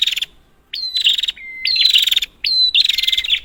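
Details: Prinia calling, used as a strong lure to get stalled prinias going. Rapid buzzy rattles with upswept openings come in bursts separated by brief silences. One pure level whistle stands alone between bursts.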